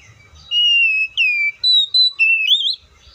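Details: Oriental magpie-robin singing a phrase of clear whistled notes: a long slightly falling whistle, a short dipping note, two steady higher whistles, then a rising looped flourish. Faint low rumble beneath.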